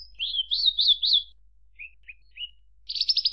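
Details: Javan bush lark phrase of wavering, looping whistles, followed by a pause, three short low chirps and a fast buzzy trill.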